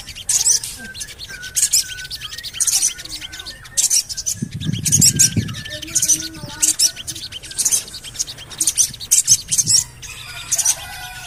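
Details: Lure call of a Javan cochoa, meant to get other birds singing. Sharp high chirps repeat in quick bursts, with a low rumbling noise near the middle and faint thin whistles underneath.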